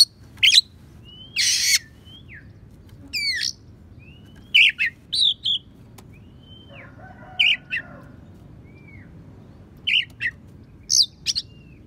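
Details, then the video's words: Songbird-training recording of an Oriental magpie-robin imitating sparrow and prinia: sharp chirps, a loud scratchy rasp, slurred whistles and a buzzy lower chattering phrase, with irregular pauses throughout. "Kacer Isian Gereja,prenjak pass untuk masteran"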